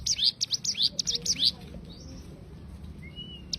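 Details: Cigun bird song in the rapid 'tembakan' style used as a tutor recording for training songbirds: a quick series of high, sharply falling chirps for about one and a half seconds, then faint scattered notes over low background rumble.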